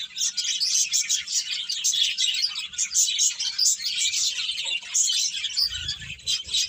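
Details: Crowded bird chatter of sharp, high tweets runs throughout, joined by a short low thud near the end.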